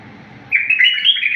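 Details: Wild-style (tawr wahshi) bulbul song meant for teaching bulbuls: after a quiet start, a lively warbled phrase of bright rising and falling notes carries on to the end.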